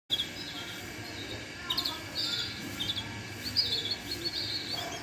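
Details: Yellow canary singing, with scattered high whistled notes and short buzzy phrases rising and falling over a steady background hiss.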